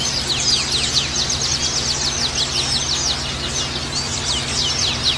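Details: Dense high chorus of Oriental white-eyes used as therapy for caged males: quick sharp descending chips and twittering phrases pour out continuously, bright and thin, while a low steady hum runs underneath.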